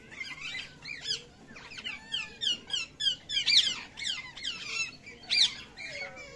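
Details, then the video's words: Parrot chicks chirping and calling in rapid, irregular bursts of rising and falling squeaky, harmonic notes, several overlapping, with a quiet low background hum. "Parrot Baby Calling Sounds | Natural Baby Parrot Sounds | Parrot Baby Chirping Sounds"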